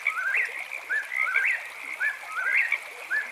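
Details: Eastern whip-poor-will singing at night beside a campsite: slurred, rising whistled phrases repeated about once a second, climbing to a sharp upward flick, over a steady high chorus of frogs chirping.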